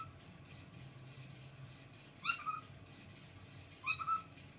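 A cockatiel gives two clear, rising whistled calls, about a second and a half apart.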